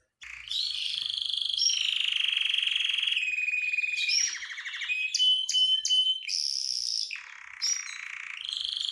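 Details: Canary singing, excited and wanting to mate: a continuous loud song of sustained buzzy trills, rapid rattling rolls and sharp high chips, shifting between tours every second or so.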